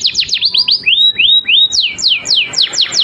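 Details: Canary master song for encouraging other birds to sing: quick falling whistles, a series of rising-then-level slurred notes, then evenly spaced descending sweeps.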